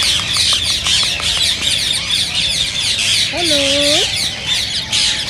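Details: Rose-ringed parakeets screeching in a steady high chorus, a sound said to encourage mating and singing; soft ticking early on and a prominent lower, wavering drawn-out call around the middle.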